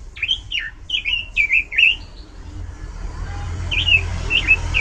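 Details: Oriental magpie-robin in top singing form with a loud, varied song: quick clear whistled phrases, some rising and some falling, run together for two seconds, then fainter scattered whistles over a low rumble of traffic.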